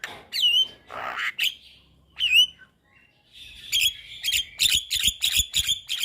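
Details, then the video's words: Javan myna song for training young birds: rich descending whistled slurs and a grating rasp, a brief gap, then a rapid train of sharp, metallic clicking notes. "Suara Burung Jalak Kebo Masteran Untuk Pancingan JAlak Kebo Muda"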